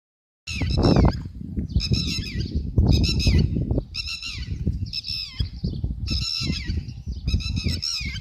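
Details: A Red-wattled Lapwing (Vanellus indicus), recorded May 2022, gives loud, shrill, strident call phrases in bursts about a second apart, over steady low wind rumble.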